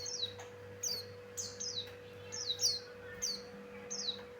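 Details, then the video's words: Pleci Buxtoni, the Javan grey-throated white-eye, repeating clear high descending whistles about every half second, some doubled, used as a lure call, with faint electrical hum beneath. "Suara Burung pleci Buxtoni Cocok Untuk Pancingan"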